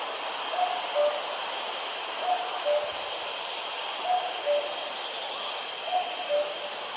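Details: Common cuckoo, far away, in Vietnam repeating its two-note 'coo-koo' four times at intervals of roughly two seconds, each falling slightly in pitch, with steady hiss behind.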